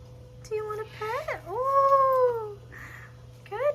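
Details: A pet cockatoo at a bird rescue sanctuary, playing with and teasing a larger parrot; a short flat note, a rising whistle, then a long drawn-out slightly falling whistle, ending with another quick upward chirp over a constant indoor hum.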